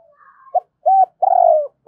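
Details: Cooing lure spotted dove in 'hai hậu' style: a short hoot, a level mellow coo, then a long drawn, slightly falling coo, over faint higher whistled tones.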